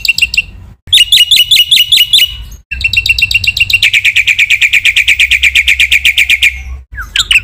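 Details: Black-winged myna training song with full fill-ins: choppy bursts of bright whistles, then a long fast trill of rapid ringing notes for about three seconds, ending in a few dipping whistles.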